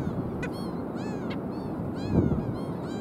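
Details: Black skimmers (Rynchops niger) at South Padre Island on 5 April 2023 give short, nasal, barking yaps, several overlapping in quick succession, over a low rumble of wind and surf.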